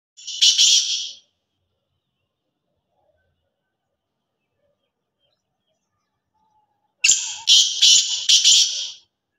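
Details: Black francolin in Sindh, Pakistan: a single short, harsh, grating burst, then about six seconds of silence, then a louder call of several rasping, clipped syllables in rapid sequence.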